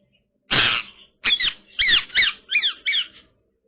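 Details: Twinkie, a female pet Indian ringneck parrot playing with her favourite toy, gives one harsh, rasping screech, then five quick, high chirping whistles with swooping pitch, about three per second, in a quiet room.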